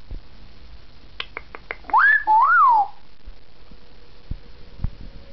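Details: Pet African grey parrot, two years old, in an early morning chat with its owner indoors: one brief two-part whistle, rising then falling, preceded by a few sharp clicks in a quiet room.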